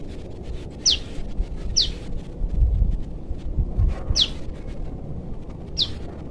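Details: A juvenile prenjak lumut prinia from the forest calls to its parent with four brief, high, downward-sweeping notes at uneven gaps, over a low rumble and some thumping sounds.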